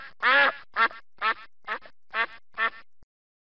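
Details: Duck quacking: six loud, harsh, nasal quacks spaced roughly every half second, the first longest and strongest, then silence.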